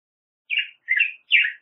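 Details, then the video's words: Black-headed grosbeak, which measures 18 to 19 centimetres and is migratory in Canada and the United States. Three rough, burry warbled notes in quick succession. "Picogrueso Pechicafé Canto - Black-headed Grosbeak Bird Song"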